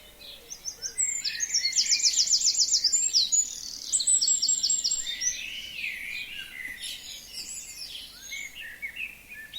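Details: Forest birds singing in spring on a frozen wild forest lake, sun and wind; high rapid trills of repeated notes, two bright trilled runs followed by thinner scattered twittering phrases.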